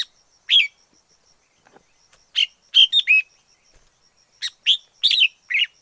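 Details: Wild red-whiskered bulbul singing varied whistled phrases, some rolling three-note runs and slurred notes, delivered in irregular bursts with a few faint clicks and a soft high background tone.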